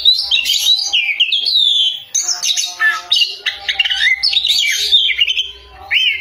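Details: Loud, varied song of an Oriental magpie-robin: rapid whistled phrases, chirps and descending slurs packed together with scarcely a pause, a low hum faintly in the background.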